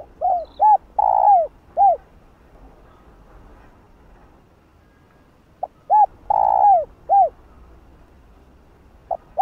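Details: Spotted dove cooing to excite other doves: two phrases of quick hooked notes with a long buzzy falling coo in the middle, separated by about four seconds of near silence.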